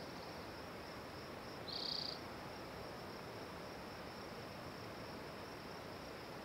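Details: Spotted towhee song: a single brief, high, buzzy trill near two seconds stands out against steady broadband hiss, with no other clear sounds.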